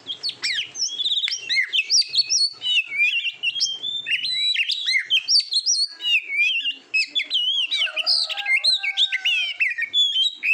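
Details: Rich, unbroken Oriental magpie-robin song used to train competition birds: quick sequences of high whistles, trills and chattering notes, with a short gap near seven seconds.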